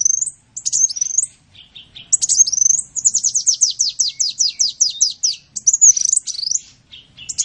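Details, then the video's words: High-pitched sunbird song used to train songbirds: squeaky wavering whistles, then a long fast run of descending ticking notes, followed by more twisting, shrill warbled phrases and brief gaps. "Masteran burung Kolibri"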